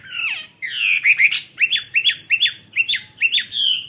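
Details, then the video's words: Chinese hwamei kept caged as a fighting bird: a slurred falling whistle and rich warbled notes, then a series of five or six sharp, upward-flicked whistled notes repeated about every third of a second. "Họa Mi chiến 21"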